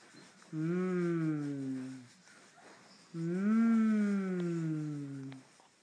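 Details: A female pet cockatoo, excited when asked if she wants sunflower seeds, gives two long, drawn-out, voice-like calls, each swelling then sagging in pitch, like a stretched "yes", about three seconds apart.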